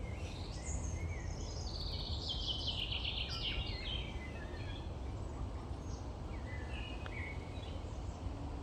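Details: Nightingale trills in a rich, varied run: high whistled notes tumbling downward in quick sequences, then scattered sharp chirps and pauses, all over a constant low background roar.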